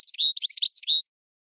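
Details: Goldfinch and red canary hybrid singing as a tutor for training birds: a brief burst of high, tightly packed twittering notes lasting about one second, clean with no other sounds.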